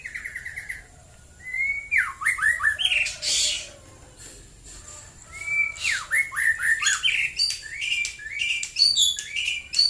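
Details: Morning song of a white-rumped shama in Klaten, Central Java. Loud, varied whistled phrases with swooping dips, harsh rasping bits and sharp high accents come in repeated bursts, with a brief pause between them.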